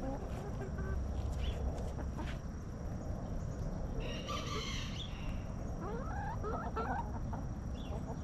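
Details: Backyard rooster among relaxing hens in their coop gives a short, loud, harmonic crow lasting about a second, followed by rapid rising clucks from hens over steady low background rumble and faint distant bird chirps.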